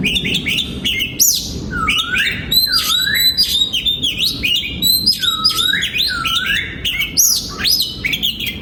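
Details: A captive oriental magpie-robin in a breeding aviary, 2022, pours out a rich whistled song. Swooping notes dip and rise, mixed with high sharp chips, delivered in steady phrases with no pauses.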